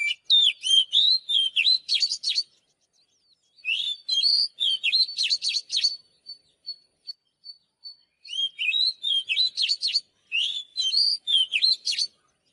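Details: Oriental magpie-robin singing vigorously in three long bursts of fast, varied whistles, chirps and slurred notes, separated by short pauses filled with soft high pips.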